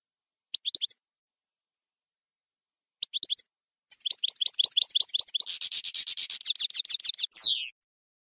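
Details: Campero-style European goldfinch song, 2020/2021 recording: two short twittering bursts, then an extended fast run of tinkling notes merging into a harsh buzzy rattle and ending in a long descending nasal slur.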